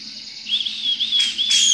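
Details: Cucak jenggot, the grey-cheeked bulbul, giving a gacor ngepik song: a thin, quavering high whistle that rises and falls, ending in two brief brighter bursts.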